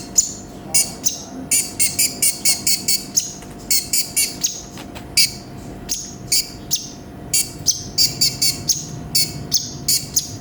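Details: Brown-throated sunbird (konin) giving 'gacor full isian' song: rapid scratchy, buzzing high notes in clusters, mixed with short slurred whistles, stuttering on and off without pause for about ten seconds.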